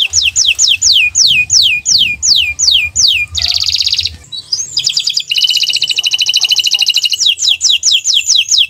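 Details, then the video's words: Canary song in the 'owor-owor uhuii' style, used as a training recording for songbirds. A row of looping descending whistles repeats about every third of a second, then a dense buzzy roll and a fast rattling trill, ending in more sweeping whistles. "Gacor Owor-owor uhuii"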